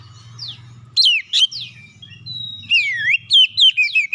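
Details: Magpie-robin song as a lure to make other birds sing: a downslur, loud sharp whistled notes, then swooping rising and falling whistles over a low hum.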